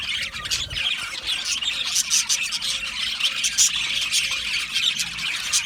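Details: Australian budgies in an aviary colony, singing and chirping together: a dense, continuous wash of overlapping high chirps, squawks and warbles with no pauses, many birds calling at once.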